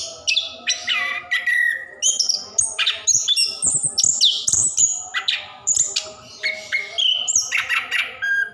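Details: Orange-headed thrush in full continuous song, played to encourage reluctant caged birds to sing: a tumbling medley of high whistles, downslurred notes and scratchy chatter, delivered in short bursts separated by brief breaths.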